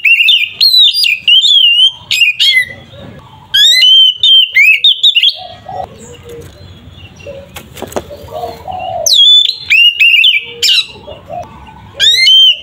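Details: Oriental magpie-robin giving a loud "ngeplong" fighting song used to provoke other magpie-robins into aggression: strong clear whistled phrases sweeping up and down, in rapid bursts separated by short pauses, with low rumbling noise in the gaps.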